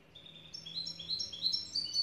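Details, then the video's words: Black siskin song, Andean finch of South America: a thin, high twittering of short whistled notes that step upward and quicken, growing louder toward the end over faint background hiss. "الحسون الأسود tarin de bolivie"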